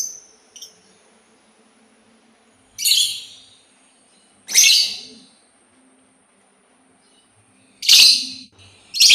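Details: Harsh, high, scratchy bursts from a sultan tit spaced about two seconds apart, plus a couple of faint thin notes at the start, in an otherwise quiet setting.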